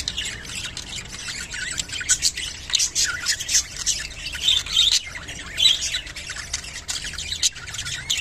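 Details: Rainbow budgerigars, kept birds, giving a mating call: dense, continuous high chattering of squawks and short chirps, scratchy warbled notes overlapping with no pause for over eight seconds.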